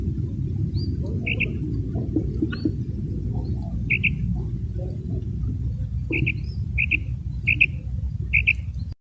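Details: Common quail uttering crisp paired notes at uneven intervals over a loud, constant low rumble of background noise.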